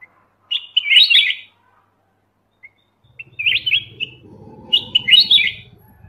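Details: {'caption': 'Black-crested bulbul, Pycnonotus melanicterus, giving short bright chattering phrases of quick warbled notes in three bursts, with a low rumbling background noise beneath the later phrases.'}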